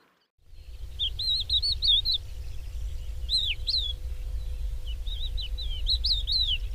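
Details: Crested lark from Córdoba: fluid, varied whistled song of warbling and sliding notes, continuing in phrases over a steady low rumble of background noise.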